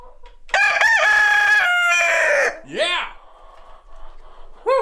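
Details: Chickens in a farm coop on a cold winter day: a rooster gives one long, loud cock-a-doodle-doo of about two seconds that trails off, followed by shorter squawks and clucks from other chickens.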